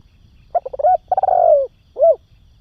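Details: Spotted dove cooing for stimulating and training young doves: a stuttering series of rapid hoots run into a long, wavering, falling coo, then one separate short rounded hoot.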